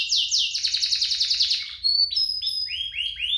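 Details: Two canaries in vigorous duet song, used to prompt other canaries to sing and as tutor song for young birds: fast high rolled trills, then a run of descending whistled sweeps repeated about every third of a second.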